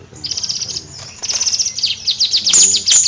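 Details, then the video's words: Bayeman in lively nyrecet song: a buzzy high twittering stream that quickens into rapid, stuttering high notes and ends with bright piercing chips. "Suara Kicau Bayeman Nyrecet Gacor Kicau Bayeman Siri Siri"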